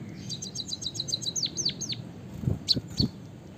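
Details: White-headed munia from Java singing a canary-style fill: a rapid series of high thin notes, then several loud downward-slurred whistles, followed by a few sharp chirps over low background rumble.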